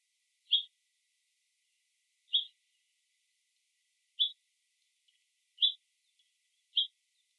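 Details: Five brief, bright scrub jay notes, each a compact high chip spaced about one to two seconds apart, in otherwise quiet surroundings.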